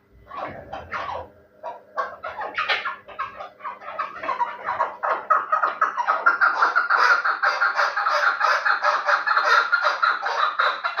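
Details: Terali chukar, a fighting and hunting partridge, starting with scattered rough notes that build after five seconds into a dense, steady stream of rapid, throaty clucks.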